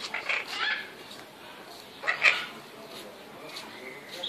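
A red-shouldered macaw gives two short bursts of harsh, raspy squawks about two seconds apart, with a faint background murmur.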